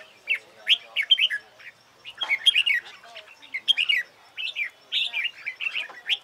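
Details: Red-whiskered bulbul practising contest song: separate sharp chirps and short whistled phrases, irregularly spaced, some quick bubbling runs in between, quiet background.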